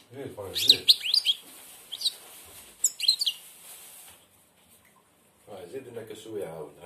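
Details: European goldfinch, blind and singing with barely opened beak, gives quick tinkling trills and chirps over a faint hiss, while a man talks at the start and again after a pause.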